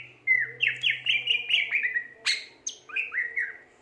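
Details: Energetic gacor song of a Greater green leafbird: quick repeated downslurred whistles, about two per second, interrupted by a sharp high note, then more slurred phrases.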